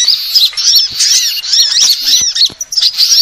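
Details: Sunbird calls for luring birds, compiled from several sunbird kinds: rapid thin, high chirps and short twittering slurs, densely overlapping and almost continuous, with brief gaps.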